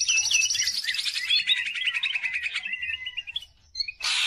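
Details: Greater green leafbird (cucak ijo) singing energetically, used as a lure for other leafbirds: a fast, varied stream of bright chattering and whistled notes dropping in pitch, ending with a burst of hiss.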